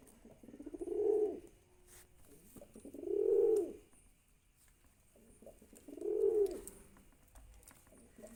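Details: Pigeon cooing: three deep, throaty, rolling coos, each about a second long, repeated roughly every two and a half seconds against faint indoor background noise.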